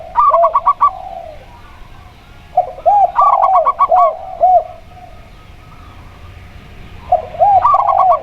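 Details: Zebra dove of the local type, with a clear voice, heard alongside a spotted dove and played as a lure. Staccato note runs and looping coos come in three phrases, with quiet gaps between them.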